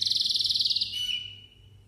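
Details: Malta canary singing: a fast, even, high trill of about twenty clipped notes, then a softer drawn-out whistled tone that fades away.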